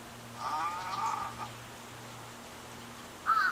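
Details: Fighting wild little egrets: a drawn-out, gravelly, croaking squawk of about one second, then a pause and a second, sharper harsh squawk near the end. A faint low hum runs underneath.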